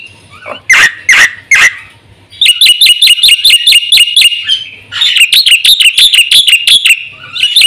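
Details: Black-winged myna song for stimulating and tutoring caged birds: three loud, harsh bursts open, then long series of quick, crisp, bouncing high notes repeated several times a second, with a soft hum in pauses.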